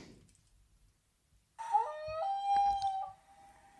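A Common Loon gives a rich, harmonic cry that swoops up, then holds a steady mournful note for over a second before fading, after a quiet pause.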